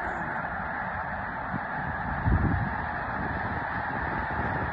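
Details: Snow geese taking off en masse at Mobridge, South Dakota, on March 4, a continuous wall of high, nasal honks from thousands of birds, steady throughout, with a louder low whoosh near the middle.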